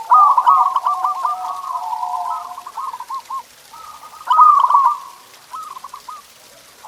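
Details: Zebra dove song used to encourage pet doves to sing: long overlapping runs of stuttering, bubbling coos and a sustained lower hum, then a louder trilled phrase and short answering bursts.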